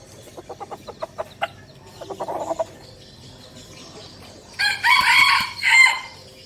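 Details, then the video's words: Captive red junglefowl kept as a decoy bird in Bình Phước province, Vietnam: a run of soft clucks, then a loud, short two-part crow, the second phrase clipped and falling. "Vẻ đẹp và giọng gáy của gà rừng mồi"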